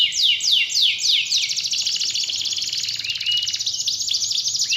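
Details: Canary song used to provoke a lazy canary into singing again: rapid series of downward-sweeping high notes, then a dense buzzy trill with fast repeated syllables and brief whistled tones.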